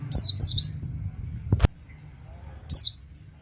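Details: Oriental white-eye, sung to coax other white-eyes into singing: a few high, quick swooping chirps, a pause, then one more chirp, with a sharp knock and low background hum.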